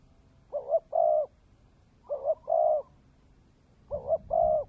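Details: Spotted dove, a Vietnamese cooing style called cu mồi đất kèm dày, giving three paired coos: a short double-peaked note then a longer steady low coo, repeated about every 1.7 seconds.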